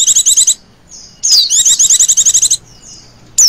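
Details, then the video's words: A female Oriental white-eye giving a 'ngecir' lure call: a half-second fast trill, a faint thin whistle, then a longer high rattling trill with a descending slur at its start, and a final sharp note. "pancingan pleci betina ngecirrr"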